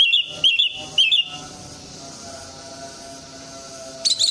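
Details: Orange-headed thrush song, played to stimulate birds that have stopped singing: three short, bright whistled phrases in quick succession, a long quiet pause, then another whistled burst at the end.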